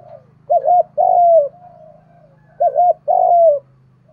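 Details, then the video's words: Coo of a spotted dove, played to provoke other doves into cooing and fighting: two phrases of a short wavering double note followed by a longer falling hoot, over a steady low electrical hum. "cu gáy kích bổi nhanh nổi gù, tiếng thúc đấu rút bổi"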